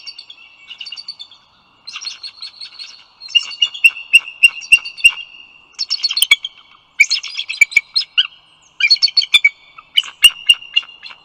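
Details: Eagle at its nest on the Dulles Greenway eagle cam, the male arriving with food for his mate and their single eaglet; loud runs of high, rapid chittering piping notes in several bursts separated by short pauses.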